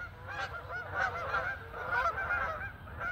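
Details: Canada geese flying as a flock over a residential neighborhood, returning home; layered honking from several birds, steady and slightly distant, over low background rumble.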